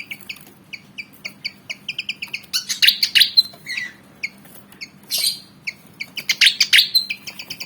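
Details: Javan fantail, black and white, about 19 cm, spoiling for a fight: quick runs of sharp chips broken by harsh, buzzy squeaking bursts.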